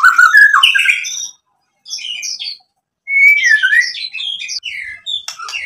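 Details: White-rumped shama in full, varied song played to provoke other shamas: tumbling bursts of bright warbled whistles and high chirps, three phrases separated by clear silences, the last the longest and most varied.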